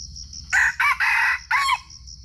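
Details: Wild red junglefowl in Sumatra, filmed on a GoPro during a lure-trapping session, crows loudly in three hoarse, clipped segments, the last one ending with a falling note, while crickets trill in a steady, rapid pulse.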